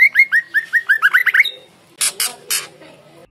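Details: Female white-rumped shama in wild, forest-style song: a rapid string of bright, upslurred whistled notes that climbs and quickens, then three harsh, raspy chak notes after a short pause.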